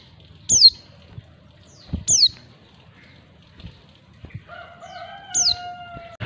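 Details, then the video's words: Female white-eye calling to attract males: sharp, thin, high notes sliding steeply downward, given three times about every 1.5 to 3 seconds. A long, lower, drawn-out crowing call from another bird starts near the end, with faint low rumble throughout. "panggilan pleci betina. pleci jantan auto nyawut"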